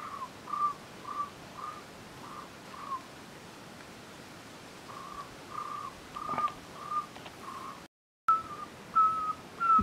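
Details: Cuban Trogon (Priotelus t. temnurus), endemic, singing in Alejandro de Humboldt National Park, Cuba, 24 February 2017: repeated short, hollow whistled notes near one pitch, about one every half second in phrases, over steady forest hiss.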